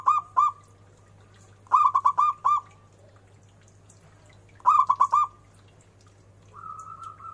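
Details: Local zebra dove singing loudly with bending notes: repeated phrases of three to five fast rich coos with trailing whistles, about three seconds apart, ending with a faint long whistle.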